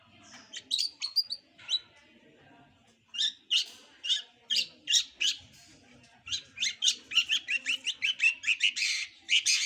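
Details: Young long-tailed shrike learning to sing. Bursts of harsh, scratchy notes, some squeaky, come in irregular runs with pauses between phrases. A fast stuttering series of rasps builds toward the end.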